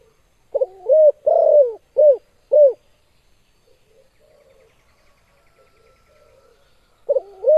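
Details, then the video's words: Spotted dove with a sharp, strong call for training or competition birds: a phrase of four low coos, one long and three short, then a few seconds of near silence before the next phrase begins. "Suara Burung Tekukur Suara TAJAM Menembus JANTUNG LAWAN"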